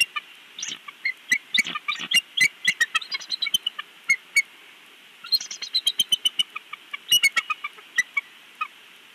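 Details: Bald eagle father at a Big Bear nest, recorded by a live nest cam: squeaky, high-pitched piping in fast, uneven series, two main bouts of rapid notes with scattered sharp ticks between.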